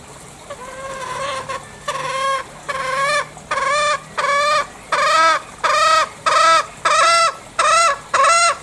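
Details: Green junglefowl from Bali giving a series of short, hoarse, slightly rising notes about every 0.7 seconds, growing louder and more regular across the sequence, over a faint background hum.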